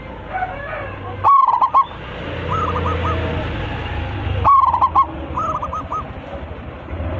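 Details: Local zebra dove with a big voice, singing actively and calling its flock. Two loud rapid coo phrases about three seconds apart, each answered by a softer, looping coo phrase from a more distant dove.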